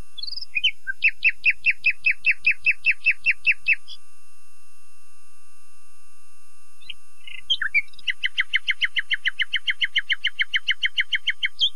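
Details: A common nightingale sings two long rapid trills of clipped, evenly spaced notes, the first about eleven per second, the second faster and lower, each introduced by brief rising whistles. A short pause separates them. No other sounds.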